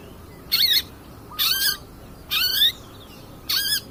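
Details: Long-tailed shrike of the 'pastol' type, recorded as a lure to provoke rival birds: four loud, grating, buzzy screeches with a rising-falling tone, each about a quarter second long, roughly one per second, in a quiet background.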